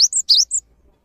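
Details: Brief snatch of Cinereous tit song, used for training other birds: two crisp phrases, each a rising whistle sliding into a higher, thin drawn-out note, over about half a second.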